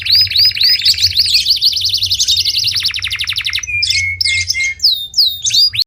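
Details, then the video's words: Canary in full song: a long fast trill of repeated bright upslurred notes lasting about three seconds, then short clipped phrases, dry buzzy notes and high whistled sweeps, over a soft low hum. "اجمل صوت كناري"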